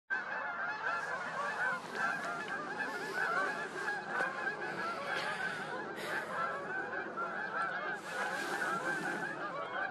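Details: Whooper swans at Starene in 2023, a large flock calling together: a dense, continuous chorus of overlapping nasal honking and bugling notes with no pauses, plus brief scattered bursts of broadband noise.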